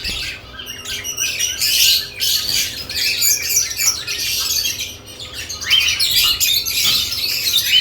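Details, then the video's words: Lovebirds during nest box activity give steady, shrill chattering and squawky chirps, dense and overlapping, with occasional sharper rising notes. "Lovebirds add nest boxes activity & chirping sounds"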